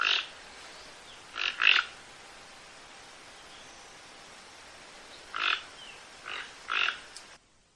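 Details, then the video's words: Toco toucan producing a series of rasping, croaky call notes: one at the start, a close pair around two seconds, then three more spaced bursts after a pause, ending in silence. "Canto del tucan toco"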